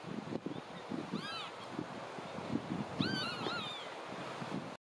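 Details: Marsh sandpiper giving a few clear arched whistles, one near the start and a quick double note later, each sliding up then down, against a constant low murmur of background noise.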